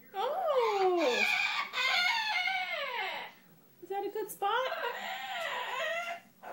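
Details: Male pet bird indoors calling when he believes he has found a good nest spot, such as cage bottom, under a couch, behind a cushion or in a closet; long harmonic, wavering calls with falling and rising glides, one brief pause midway.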